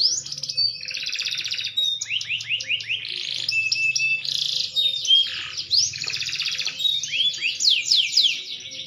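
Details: Green canary, maturing, singing a rich, fast song of rapid trills, buzzy rolls and sweeping whistled notes that change every second or so, delivered continuously without pause.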